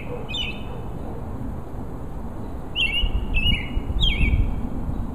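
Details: Male robin singing to attract a mate: a few short chirped notes sliding down in pitch, clustered in a burst after a quiet start, over steady low rumbling background noise.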